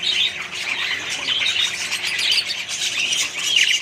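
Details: Many Australian budgerigars calling together in a mixed colony, an unbroken stream of high chirps and warbled squeaks, a wavering whistled note near the end.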